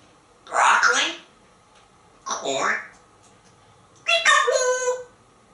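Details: Captive male African grey parrot living in a Texas home, speaking during a countdown to corn: three separate voice-like bursts, each under a second, spaced about 1.5 seconds apart, the last one harsher and more nasal.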